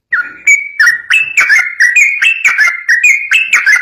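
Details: Rapid, lively yellow-vented bulbul song used to provoke other bulbuls into singing: clear, fluty whistled notes, each rising or dipping sharply, delivered in an unbroken run of about a dozen phrases.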